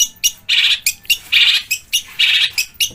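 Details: ['Cendet, the long-tailed shrike, in a full-variation song with fast dense rolls that imitate kuntilanak, tengkek buto and fighting sparrows. Harsh grating chatter bursts alternate with short sharp chips, about three loud rasps in three seconds.']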